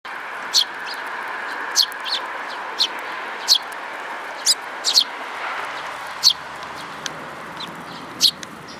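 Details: Sparrows, parents with chicks, recorded 19 May 2018: sharp high chirps scattered singly about every second over a steady hum of background noise.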